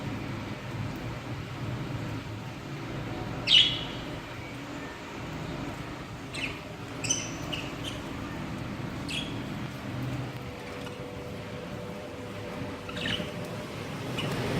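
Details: Pet budgerigars, seven chicks and two adult pairs, eating coriander and mint leaves as summer green food, giving scattered short, bright chirps over a steady low background hum.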